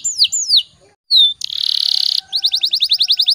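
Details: Canary song used to coax other canaries into singing: two bright descending whistles, a pause, one sharp note, a loud buzzing rattle, then a fast run of repeated high chirps.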